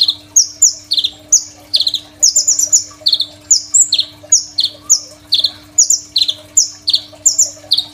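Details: Crimson sunbird in energetic full song, a master recording for training songbirds: steady stream of shrill chips and buzzy falling notes, a few trilled runs, with a faint background hum.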